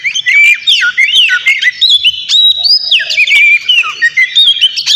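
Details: Noisy, energetic White-rumped shama song played to provoke a rival bird: dense run of sweeping whistles, rising and falling slurs and sharp clicks, delivered in loud bursts with brief pauses.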